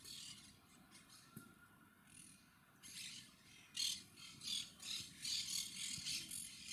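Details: Monk parakeets (Quaker parrots) recorded with a Panasonic HC-WXF990: after quieter, scattered chirps, a run of harsh, buzzy, rasping notes repeats roughly every half second over a steady low background rumble.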